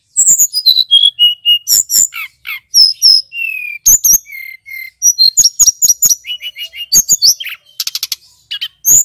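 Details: Dense, energetic lure song from a male mountain flycatcher meant to arouse other birds: high clear whistles stepping downward, crisp chips and brief rattling trills, delivered almost without a break.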